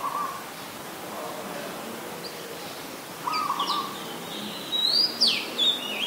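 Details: An adult red-whiskered bulbul (Pycnonotus jocosus) in Ubon Ratchathani, Thailand, on 26 December 2020 gives a few quick, bright, liquid whistled notes clustered near the end, over steady background hiss with faint lower notes from other birds.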